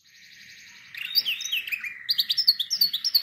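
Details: Canary song used for training other canaries: a low steady trill near the start, then rapid sweeping whistled notes and bright chirps repeated about three times a second.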